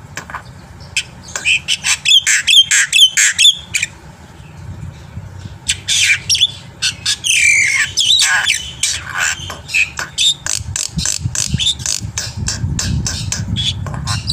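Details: Energetic black-winged myna masteran song, full of varied fill-ins, used to coax birds to sing. Repeated harsh squawks and rasping chatter come in dense bursts with short pauses, over a faint low rumble.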